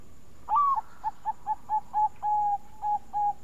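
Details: Bangkok zebra dove with a melodious lure song: one rising then falling note, followed by a string of short bouncy coos at steady intervals, one longer held coo and more quick repeats.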